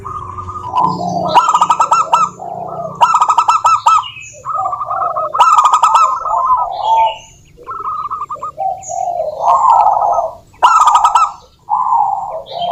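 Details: Local wild zebra dove song played to make other doves sing: repeated rolling coo phrases and short note bursts over about twelve seconds, with sharp clicks and occasional high chirps in between.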